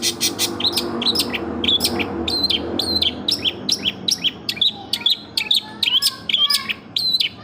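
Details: Long-tailed shrike singing energetically with varied fill phrases: rapid, sharp high chirps and short whistled notes in a lively run, with a few lower slurred whistles near the end and faint low hum underneath.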